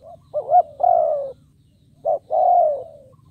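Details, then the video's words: Caged decoy spotted dove calling to attract wild doves. Two phrases, each a wavering upslurred note and then a long hoarse coo falling gradually, with a faint low hum. "Cu Gáy Kích Bổi Nhanh Nổi"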